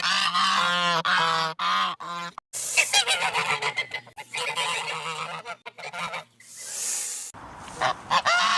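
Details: Geese honking loudly in a harsh, rapid series of nasal, buzzy calls, with repeated short bursts and a dense chorus of overlapping honks.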